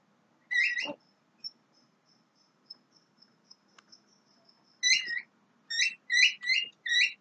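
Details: Young Javan myna: a harmonic whistle and a low sliding note, then a long run of faint thin ticking notes, ending in a quick series of five loud stacked whistled phrases.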